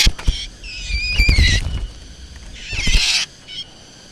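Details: Black drongo, recorded for use as a lure: sliding whistled notes that fall and waver, followed by a harsh, noisy rasp and a short high note, over low rumbling background noise.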